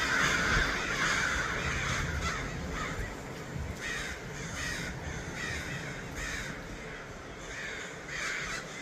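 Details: A large gathering of crows in Los Angeles, with rapid, repeated harsh caws from several birds over constant low background rumble.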